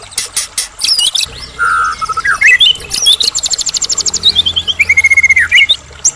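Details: Lure song of a Medan white-rumped shama meant to make other shamas answer: a low whistled note, then rising and falling whistles over a long, fast, evenly pulsed trill of sharp notes.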